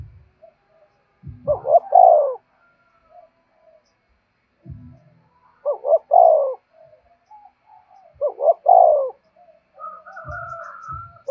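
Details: Caller spotted dove cooing to entice wild doves, three phrases spaced about three seconds apart, each two quick hoots and a longer falling coo, with low thumps and soft notes in between.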